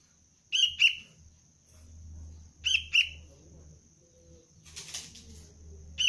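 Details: Young sooty-headed bulbul in basic training for luring repeats a crisp two-note chirp twice, followed by fluttering wing sounds, over a low hum and thin high whine.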